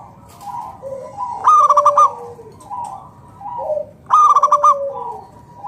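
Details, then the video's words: Local zebra dove (perkutut) in full song, played to coax other doves to answer: two loud bursts of quick pulsed, bubbling coos about three seconds apart, with softer descending coos from other doves in between. "PERKUTUT LOKAL GACOR SUARA PALING AMPUH UNTUK PANCINGAN BURUNG PERKUTUT AGAR NYAUT BUNYI GACOR"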